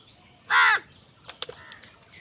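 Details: During a fight over food, a crow utters one harsh, rasping caw, then a few faint clicks and ticks.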